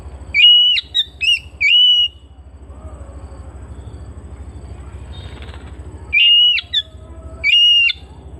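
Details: Home-kept Oriental magpie-robin giving a burst of three clear whistles broken by short notes, a quiet spell of hum, then two more level whistles.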